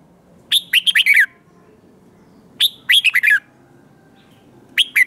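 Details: Red-whiskered bulbul in competition song that pushes newly caught birds to answer; three loud phrases of quick, tumbling whistled notes, each dropping in pitch at the end, come about two seconds apart.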